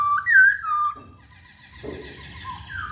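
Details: Masked laughingthrush in song used to provoke other birds: a loud rising-and-falling whistle, a drawn-out level note, then quieter whistles over a faint low hum.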